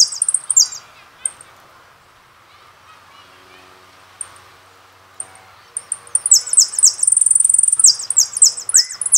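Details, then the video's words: Jilguero finch singing on a song CD: a few scattered high chips at first, then a fast run of sharp descending notes and buzzy trills in the last third. "Jilgueros una pasion CD del Carasucia"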